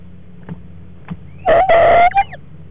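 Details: Barred owl in a nest box during a frog meal, 14 February 2014. Two faint knocks are followed by one loud, harsh, drawn-out harmonic call lasting about half a second, then a brief trailing note, over a low steady hum.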